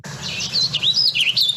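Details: Warbling Vireo song near Boise, Idaho: a very fast, buzzy, high-pitched warble that rolls continuously up and down, over a faint low hum.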